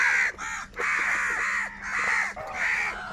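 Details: Several crows squabbling over food give loud, harsh, drawn-out caws in quick succession, four long rasping calls with short gaps, over a faint steady hum.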